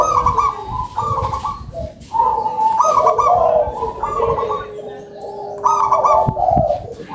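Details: Local zebra dove in strong voice: a run of quick broken cooing trills, phrase after phrase, with a long level tone beneath the middle section.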